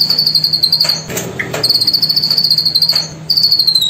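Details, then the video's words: Cililin song from a bird farm in Bengkulu, two birds in a teacher-versus-student exchange: fast, high, evenly pulsed trills of sharp notes, two long runs broken by a brief pause and a lower chirp, with a third trill starting near the end. "ISIAN CILILIN"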